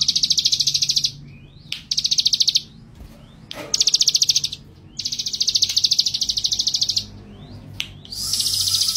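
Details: Rattling high trills from a male ciblek gunung, described as gacor and brave: five short bursts of fast, even pulses broken by abrupt silences and a few sharp clicks.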